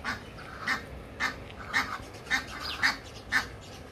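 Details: Egyptian geese giving a series of harsh, nasal honks, about seven in four seconds at a fairly steady pace, each a short burst with a low base tone and bright upper overtones, over soft background noise.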